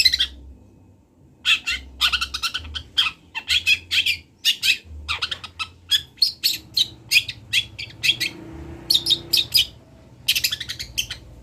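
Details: Long-tailed shrike, local to Kendal, Indonesia, recorded as a master for teaching birds: rapid bursts of chattering, scratchy notes in quick runs separated by short pauses, low hum underneath.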